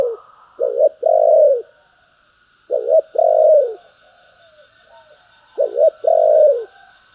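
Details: Spotted dove cooing in the 'thúc' and 'gáy gọi' styles: three low phrases, each a quick double note followed by a longer mellow descending coo, about every 2.5 seconds, over a faint steady high tone.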